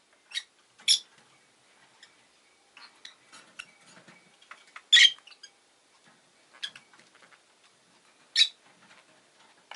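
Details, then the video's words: Rosy-faced lovebird giving piercing, abrupt chirps every second or two, the loudest a harsh double shriek midway, with soft clicks and scratches in between. "Lovebird Chirping Sounds"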